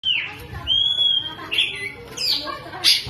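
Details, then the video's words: Oriental magpie-robin spreading its tail while singing, its song filled with lovebird imitations: long clear whistled notes around a steady pitch, broken by short rising and falling chirps and harsh bursts. "BURUNG KACER BUKA EKOR SAMBIL NEMBAK" | ISIAN LOVEBIRD KACER"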